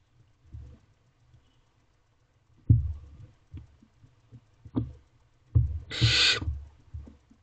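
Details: Barn owlets feeding on a rabbit inside a nest box at 2:56 am, 5 May 2023: low thumps and scuffling from moving chicks, then a single harsh rasping hiss near the end.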